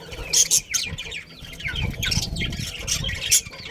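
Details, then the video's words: Budgerigars in a colony with a breeding pair, chirping in quick overlapping warbles with sharp scratchy bursts, over a low rumbling background sound. "Cute Budgies Chirping Sounds"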